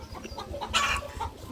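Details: A native (desi) chicken on a Bangladeshi homestead farm gives a brief, harsh clucking squawk while a man talks nearby; the hens are calling out at the sight of him.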